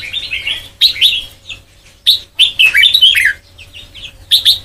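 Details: Red-whiskered bulbul with white cheeks delivering Sông Kon style song for voice training. Quick chirpy whistled notes come in clustered bursts, some slurring downward, with a steady low hum in the background.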